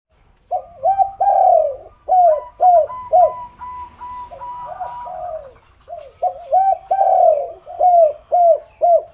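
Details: Spotted dove coos used as a lure to make lazy doves start calling: repeated low, rounded coos in bursts, some notes falling in pitch, with a pause mid-clip and a faint higher whistle-like tone behind.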